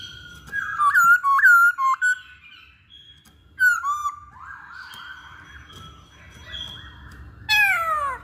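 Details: Masked laughingthrush lure song used to prompt other birds to sing; clear whistled notes, some slurred and bending, given in short bursts with pauses, ending in a loud descending phrase.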